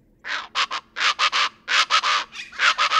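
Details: Plain chachalaca (Ortalis vetula) call: loud, harsh, raucous notes in rapid three-note bursts, about four groups in three seconds, with no other sounds standing out.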